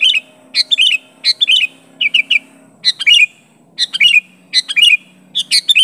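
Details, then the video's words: Sooty-headed bulbul pressing a rival with its call: quick bursts of bright, bubbling chirps in doublets and triplets, fairly fast and uneven in spacing, with a soft low drone in the background. "Suara Burung Kutilang Gacor Memanggil Lawan Asli tanpa Isian Menekan lawan"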